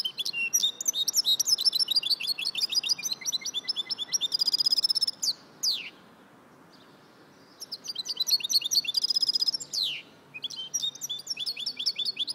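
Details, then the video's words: Singing goldfinch mule delivering fast, high-pitched twittering phrases of repeated chirps and trills with metallic buzzy stretches and sharp falling sweeps, broken by a pause of about two seconds before the song resumes. "Amazing Goldfinch mule singing"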